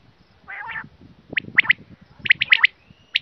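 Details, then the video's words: Quail call played as a hunting lure to attract quail: a soft nasal burst, then sharp high clipped notes in quick pairs and triplets, with faint low rumbling beneath. "The quail's voice to catch"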